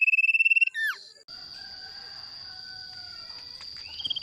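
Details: Lure recording of a male Mountain Tailorbird: a fast, high trill of about a dozen notes and a falling slur, followed by a long, thin, steady high whistle.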